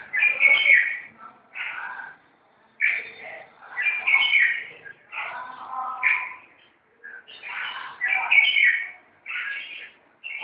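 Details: Red-whiskered bulbuls fighting keep up dense, rapid volleys of harsh chirps and scolding chatter. Only brief pauses break the steady back-and-forth burst pattern.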